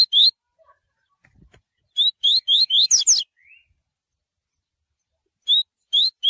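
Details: Coleiro in tui tui style: one whistle, then a quick burst of four rising notes ending in two higher, slurred ones and a soft trailing note, a pause, and two more upward whistles.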